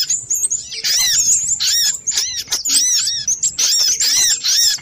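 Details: Little spiderhunter calls used as a bird-lure recording, a busy compilation: loud, high, sharp chittering notes in rapid overlapping bursts, with repeated arched squeaky phrases and no pauses.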